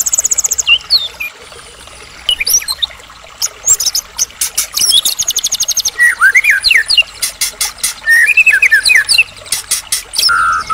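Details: Medan-type white-rumped shama in full song, played as a lure to provoke other shamas into singing, mixing rattling click series, high thin notes, and looping whistled phrases that rise and fall, ending on a steady low whistle.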